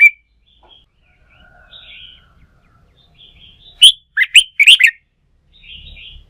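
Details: Wild-caught red-whiskered bulbul, stimulated for song-fighting training, gives quiet thin warbles, then one loud sharp note followed by a quick cluster of bright rising and falling chirps.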